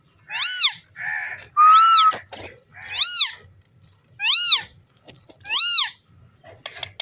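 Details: Green pet parrot interacting playfully with its owner indoors, giving a series of clear, ringing calls that rise and fall, about six in seven seconds, with one flat whistle among them.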